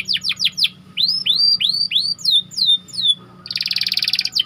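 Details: Canary song for training other birds: quick downslurred chirps, slower rising-then-falling curved whistles, descending sweeps, and a closing dense buzzy trill, with a faint low hum.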